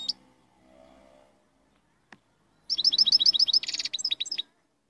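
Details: European goldfinch song: after a quiet start with a faint click, a fast run of bright twittering notes, a short buzzy rasp, then a few sharp chirps to close.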